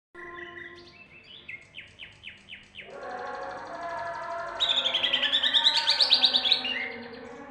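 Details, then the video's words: Greater green leafbird song in the rolling and 'tembak' style: a few falling whistled slurs, a run of quick downward sweeps, then a loud, rapid, buzzy chattering burst of high notes, over a steady humming tonal background. "tipe C. hijau "Rooll, Tembak'."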